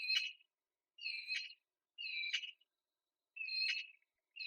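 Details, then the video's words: A breeding female Eurasian magpie at her jasmine nest in spring shows full-fledged begging outside the nest, shivering outspread wings. She gives loud, high-pitched whining calls about half a second long, roughly once a second, prompting the male to feed her. "Full-fledged female begging outside the nest"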